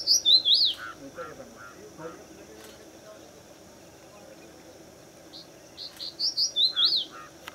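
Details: Crested Bunting male, Pune fort, India, singing in the breeding season: high chirps rising into a loud looping slur, repeated after about five seconds, with lower short notes from another bird in the gap and a soft insect hum throughout.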